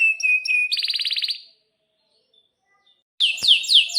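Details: Canary singing constantly ('gacor') with long rolls, used as a lure to make other canaries sing: a steady whistled note, then a fast buzzy trill, a pause, and a series of sharp descending chirps.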